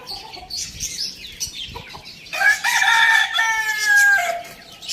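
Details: Morning rooster crow, a strong stretched harmonic call lasting about two seconds and ending in a falling tail, preceded by softer clucking and chirping from nearby birds.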